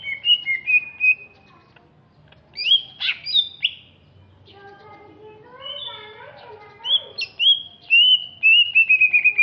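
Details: Greater green leafbird originating from Alas Purwo, Banyuwangi, East Java: varied song of bright downslurred whistles and sharp chirps, a softer lower warbling passage in the middle, then a fast run of descending whistled notes.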